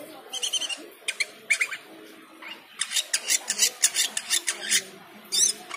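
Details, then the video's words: Cucak keling responding to the call to prayer with a busy, full song, fast series of sharp, high clicks and chatters, ending in a wavering trill, with soft chanting in the background. "Cucak keling teler gacor full isian saat mendengar adzan."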